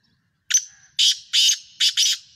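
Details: In Sindh, Pakistan, a black francolin (kala tetar) gives one clipped opening note and four rasping, buzzy bursts, ending with a tight double. The whole phrase lasts under two seconds over near silence.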